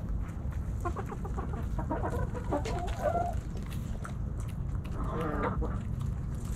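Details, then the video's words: Backyard hens and roosters snacking on Thanksgiving; bursts of rapid stacked clucks near the start and end, with chatter in between over a strong low rumble. "Backyard Chickens Thanksgiving Snacking Sounds Noises Hens Clucking Roosters Crowing!"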